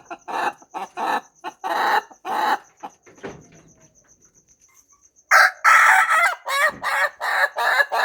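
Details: Morning rooster crow in two stretches of rapid, choppy syllables separated by a quiet pause filled with steady high insect ticking. The second stretch opens with a loud, drawn-out note.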